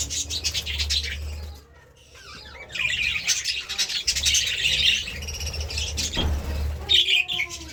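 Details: Budgerigars feeding on seeds and vegetables chatter in rapid, raspy warbles, broken by a near-silent pause and a sharp click, with a constant low hum behind.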